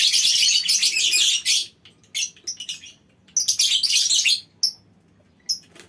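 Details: Aviary lovebird colony in long ngekek calling, birds setting each other off: a harsh, high chattering stream opening the recording, then short squeaks, another dense burst and a few sharp notes.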